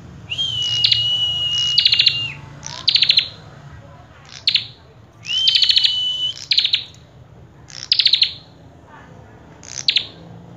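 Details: Common tailorbird (Orthotomus sutorius) singing loud, high phrases: a long, steady whistle followed by bursts of sharp, rattling chips, repeated every few seconds over faint background hiss.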